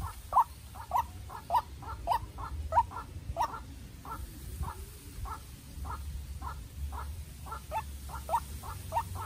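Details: White-breasted Waterhen, a young decoy bird, in a tense contest with a wild bird: regular harsh notes about twice per second, strongest at the start, fading softer midway and returning near the end.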